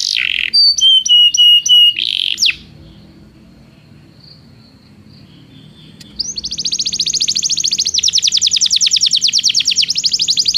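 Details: Belgian canary song for training canaries that do not sing: short trills and level whistled notes, a quiet pause of several seconds, then a long, very rapid, buzzy high trill.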